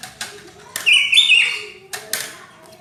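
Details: Greater green leafbird (cucak ijo) giving its vigorous 'rapet' song, said to sound like a kacer: a short bright warbled phrase framed by sharp snapping clicks.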